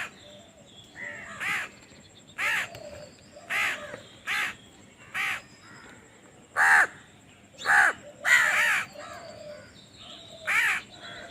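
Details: A hungry baby crow begging to be fed gives harsh, nasal begging caws, about ten repeated roughly once a second, some drawn out and wavering, over a quiet outdoor background.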